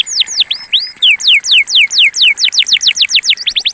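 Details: Pure campainha Belgian canary song: rapid, ringing downward-sliding whistles repeated about four times a second, bright and high, with occasional upward-curving notes at the start and a faint hum underneath.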